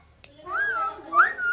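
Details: An Alexandrine parakeet, a talking pet, speaks a brief human-like phrase, apparently "Sadhi karna hai" in Hindi/Urdu, in a high, nasal, slightly whistled voice with two drawn-out rising and falling syllables over quiet room noise.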